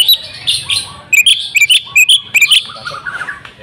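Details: Oriental magpie-robin female calling a male to make him sing; short bright chirped and whistled notes in quick clusters, fading into softer twitters against a low background hum.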